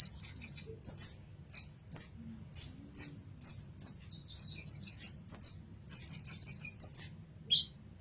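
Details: High-pitched, chattering song of an olive-backed sunbird (kolibri ninja) for masteran: quick trills of bright tweets alternating with single sharp chips, almost unbroken through the passage.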